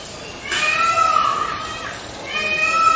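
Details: White peacock giving a loud, nasal, cat-like wailing call: a drawn-out harmonic cry lasting about one and a half seconds, then a second similar cry beginning near the end, over faint background hiss.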